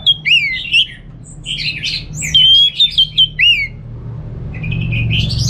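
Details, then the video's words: Kept orange-headed thrush in North Bali singing a lure and tutor song. Clear slurred whistles swoop down and up, then a burst of jumbled notes and a rising run of chirps, with a soft low background hum. "Suara ANIS MERAH Berkicau || Pancingan & Masteran Burung"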